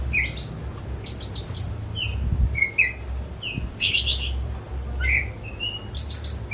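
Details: Pet Oriental magpie-robin singing agitatedly, used as a lure for a quiet bird. Clear whistled notes mix with harsh, rattling high bursts in loose phrases over a low hum and occasional thumps.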